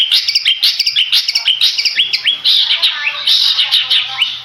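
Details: Long-tailed shrike of the Madura type, a contest bird, singing a fast varied song of sharp whistled notes and rising slurs near 3–5k, densely packed and continuous with little pause.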